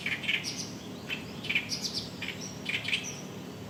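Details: In reed beds at Kitamoto Nature Observation Park in early summer, an Oriental Reed Warbler sings its loud 'gyogyoshi, gyogyoshi' song. Gritty chattering bursts repeat about every half second to second, with a thin high note near the end and faint low background hum.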